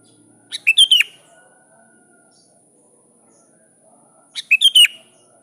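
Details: Sooty-headed bulbul calling a rival: two short bursts of three or four bright, slurred chirps, the second burst about four seconds after the first, with quiet background between.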